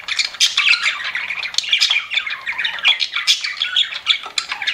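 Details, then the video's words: Pet budgerigars chirping continuously: a dense, overlapping stream of high, scratchy warbles and squawky chatter with short whistled notes. Several birds seem to call at once, with no other sounds heard. "CUTE PET BUDGIES CHIRPING"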